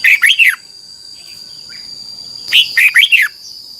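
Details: Singing red-whiskered bulbul, Thailand, recorded as training song for young birds: a fast trio of warbled notes opens, then quiet with a couple of soft chirps, then a fuller phrase of about five rolling, up-and-down whistles.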